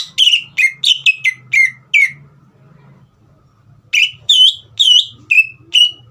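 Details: A green leafbird whistles a rapid string of falling notes, goes quiet for about two seconds, then resumes with loud, clear, swooping whistles. Faint low murmuring sounds underneath. The song is played to coax young birds into singing.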